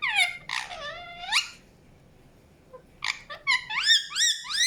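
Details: Indian ringneck parakeet chirping: loud, nasal squawks that bend upward, a quiet gap of about one and a half seconds, then a cluster of rising, harsh calls.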